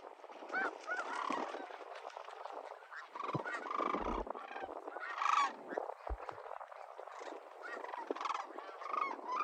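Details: Sandhill Cranes wintering at Whitewater Draw, a high-desert wetland in Arizona's windy Sulphur Springs Valley, calling during fly-ins: a dense chorus of overlapping rolling, trumpeting calls from many birds, with some low wind rumble.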